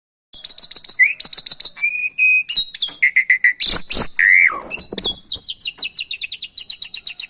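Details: Javan pied starling in a training recording with canary song mixed in, meant to spur reluctant starlings to sing: high rapid trills alternate with clear whistled notes and downslurred whistles, a busy unbroken stream of chattering phrases.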